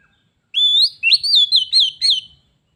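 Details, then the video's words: Oriental magpie-robin, a pet bird answering a wild one in a singing duel that turns into a fight; clear whistled phrase of sliding notes, then four quick looping whistles repeated at an even pace, with a quiet background. "Kacer _adu suara sampai jadi bertarung/fight Cok"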